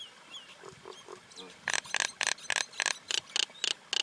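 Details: Common myna giving a steady, rapid string of loud, grating squawks, about four each second, after a second of soft low murmuring notes.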